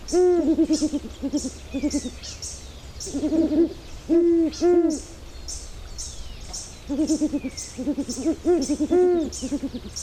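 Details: Great horned owl giving deep, soft hoots in short stuttering runs and paired notes, repeated over a faint high hiss of background insects; recorded in Ecuador.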